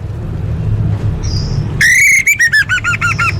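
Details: Orange-headed thrush song used to coax caged birds into singing. A clear drawn-out whistle is followed by about six quick, evenly repeated looping notes at a similar pitch. A rumbling low hum is steady in the background.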